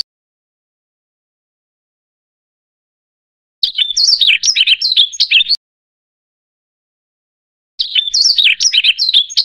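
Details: A Yellow-throated Bunting (Emberiza elegans) sings two bright, jumbled, high-pitched twittering phrases, each about two seconds long, separated by silence, with no other sounds.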